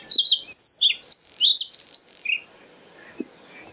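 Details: White-spotted bluethroat singing at Kølsen-Skals Engsø on 10 April 2020: a quick, varied phrase of sharp, high chirps and squeaky twittering notes that jump up and down in pitch, followed by a short pause and one faint low note.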